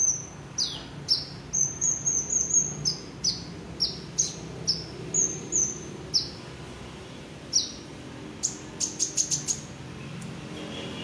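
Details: Olive-backed sunbird singing in full voice with a varied repertoire: sharp, very high tsip notes repeated about twice a second, some strung into quick ticking runs, ending with a short rapid trill.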